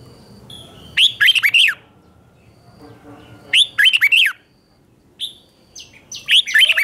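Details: Red-whiskered bulbul singing ché-style training song in the morning to excite wild-caught birds: three loud, jerky warbled phrases spaced about two to three seconds apart, with a faint low hum in the background.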